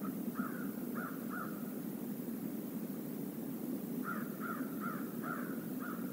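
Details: Crows of a flock visiting a stream area: three harsh caws early, then after a pause a run of five caws from four seconds, over constant low rushing water.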